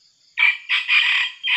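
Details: Red junglefowl crow from a decoy male used for trapping wild junglefowl, a bird once caught by an eagle; three to four harsh, loud segments with a long sustained middle section, clean background.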